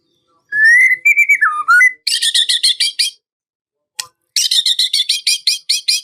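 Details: Murai batu, or white-rumped shama, singing a rival-provoking song: a wavering whistled phrase, then fast repeated harsh chattering notes, a brief break, and another rapid run of rasping notes.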